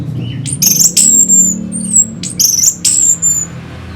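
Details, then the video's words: Orange-headed thrush song used as a lure to rouse fighting birds: bright high whistled phrases with sharp sweeping notes, in two bursts separated by short pauses, over a faint low hum. "Pancingan SUara ANIS MERAH Pembangkit Figther Burung"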